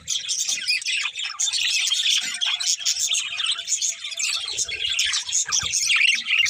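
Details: Budgerigar pair chattering continuously in bright, scratchy, high-pitched chirps and warbles, a busy run of tweets with only faint low knocks in the background.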